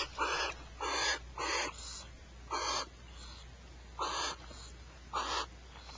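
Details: Pair of barn owls at Starr Ranch squabbling over a rat: harsh, hissing screeches, six rasping bursts in about six seconds, each roughly half a second long and irregularly spaced, over a faint low hum.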